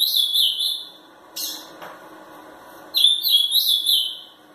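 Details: Three-year-old ultramarine grosbeak kept for song competitions in Pelotas, Rio Grande do Sul, Brazil, angrily singing: a warbled opening phrase, a short burst after a pause, then a louder, undulating high whistled phrase.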